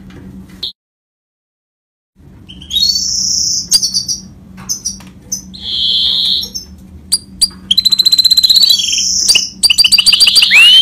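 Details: Goldfinch mule, described as a Himalayan finch mule, in full rolling song: after a short silent pause come high whistled notes, sustained buzzy trills and a fast run of sharp ticking notes near the end, with low steady hum behind.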